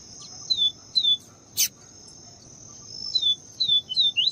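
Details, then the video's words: Papa-capim viviti, or Yellow-bellied Seedeater, female calling to excite the male: thin, falling whistles spaced apart, becoming quicker toward the end, with one click and a constant shrill insect drone. "MELHOR PAPA CAPIM CANTO VIVITI E FEMEA CHAMANDO PARA ESQUENTAR PAPACAPIM VIVITI"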